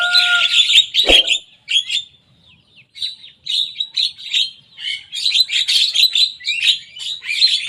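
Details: Young Javan myna singing actively and mimicking rival birds: a short steady tone and a sharp knock, a brief pause, then dense runs of scratchy, chattering chirps in uneven bursts.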